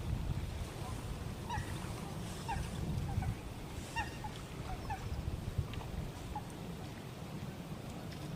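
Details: Eurasian coots, small and large groups preening on a lake at the Eijsder Beemden nature reserve in Limburg on a 7 October 2024 morning; short sharp clipped calls, about six spaced irregularly over eight seconds, above steady low rumbling water and wind noise.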